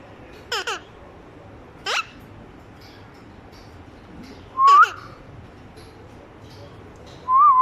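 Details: Pet parrot copying a young child's voice: sharp, falling, rasping squawks spaced a few seconds apart, then a loud wavering whistled tone, with a second one starting at the end.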